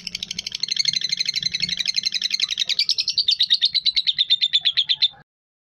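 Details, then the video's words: A lovebird gives a long, shrill, rapid chatter of about eight notes a second, running for five seconds and settling into an even, piercing trill at the end. "suara indah dan khas burung cinta"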